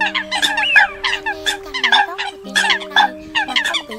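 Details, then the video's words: Eurasian coots in a recording used as a lure for catching birds. Many harsh, nasal, honking calls overlap in a dense chorus, with some calls sliding upward. Steady low humming tones run underneath. "Tiếng Sâm Cầm Mới Nhất 2020"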